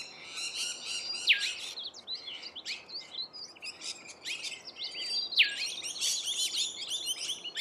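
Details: Wild rainbow lorikeets feeding in Australia, giving harsh, high-pitched screeching chirps in uneven bursts, with sharp shrieks near one and five seconds and several birds calling over one another.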